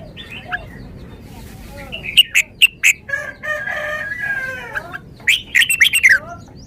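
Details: Red-whiskered bulbul running through its song repertoire: faint whistles at first, then a series of sharp, loud notes, a rougher buzzy stretch, and a final quick flourish of bright whistled notes.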